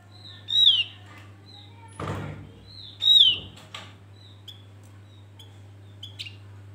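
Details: Bait song of a male Javan grey-throated white-eye, played to lure birds: loud, downslurred high whistles repeated about every two and a half seconds, then softer short whistles, with knocking thuds and clicks in between.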